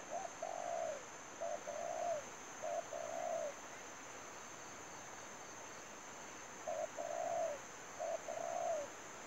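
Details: Spotted dove kept as a trapping lure, cooing in two bouts: three phrases, a pause of about three seconds, then two more, each a short note and a longer falling coo, over a constant high whine.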